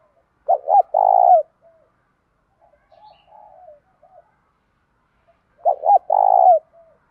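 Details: Spotted dove call meant to stimulate wild-caught doves; two identical phrases about five seconds apart, each two quick rounded notes and a long trembling coo, with quiet cooing between.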